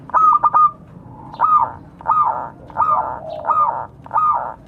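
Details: Local zebra dove calling to others. One stuttering coo phrase opens, then a series of rounded, arching coos follows at roughly half-second to one-second intervals.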